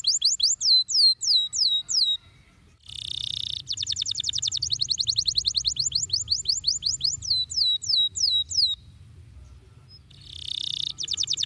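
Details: Canary in full 'gacor' rolling song used to train young birds: repeated falling whistled notes, a brief buzzy burst, then a long fast trill of crisp high notes, more whistled sweeps and another buzzy burst near the end.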